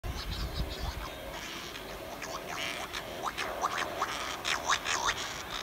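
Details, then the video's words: At night in a dense Cory's shearwater breeding colony on Pico Island, Azores, in 2019, mated birds return from sea to swap egg incubation; hoarse, nasal wailing calls overlap over wind or surf. Females give lower drone-like calls, males higher plaintive ones. "call of CORY'S SHEARWATER"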